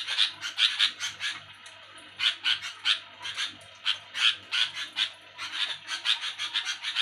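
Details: Sooty-headed bulbul making noisy night-time chatter: scratchy, buzzy notes in uneven clusters, some bright and sharp, with brief gaps between groups and a faint low hum beneath.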